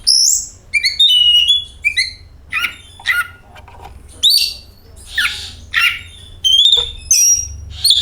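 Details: Oriental magpie-robin singing, used as a lure to prompt song: quick varied whistles at the start, then harsh scratchy notes alternating with clear sliding whistles in rapid phrases.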